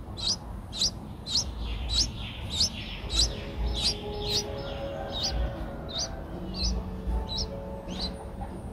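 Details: Eight-day-old Streak-eared bulbul nestlings, Ubon Ratchathani, Thailand, April 2023; rapid series of sharp high upward-sweeping squeaks, roughly ninety-seven a minute, over faint low background tones and hum.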